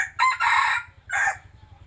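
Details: A decoy rooster gives one full, loud crow: a rough, ragged opening that swells into a sustained harsh phrase, a short pause, then a clipped descending end note. A soft, steady low throb sits in the background.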